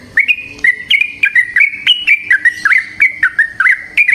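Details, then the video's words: Wild yellow-vented bulbul giving a long 'ropel' song, a steady stream of gurgling, liquid notes at roughly even spacing, each a short rising or falling slur, loud and clear throughout. "Trucukan GACOR ngalas ROPEL PANJANG suara alam"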